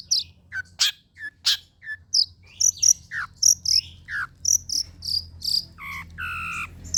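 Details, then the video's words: Long-tailed shrike song for training cage birds: a lively run of varied chirps, high squeaky whistles and sharp downslurred notes, closing with two harsh, nasal, buzzy notes. "SUARA CENDET"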